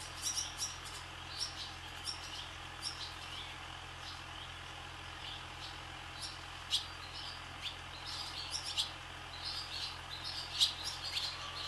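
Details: Flock of barn swallows skimming over a farm sky, producing many high, quick chirps and twitters, sparse at first then busier toward the end, over a constant low hum.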